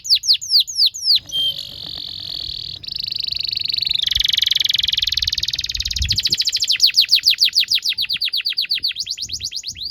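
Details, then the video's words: Singing canary, a master song for training young canaries: downward-sweeping whistles, then buzzy rattling trills around mid-high pitch, shifting into fast repeated chirping runs of steady rhythm. "PANCINGAN KENARI GACOR DURASI PANJANG UNTUK MASTERAN KENARI PAUD BELAJAR BUNYI DAN GACOR"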